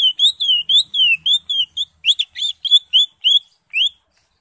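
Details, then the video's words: Greater green leafbird singing in the ngentrok style: a fast, steady series of about twenty clear whistled notes. Most notes are short and falling, with a few buzzier notes in the middle, all loud and close. "CUCAK HIJAU (ijo) NGENTROK JAMBUL GACOR FULL ISIAN"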